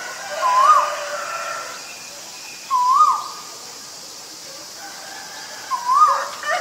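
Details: Male Asian koel calling: three rising, whistled notes with a slight upward hook, spaced about two and a half seconds apart over steady background hiss.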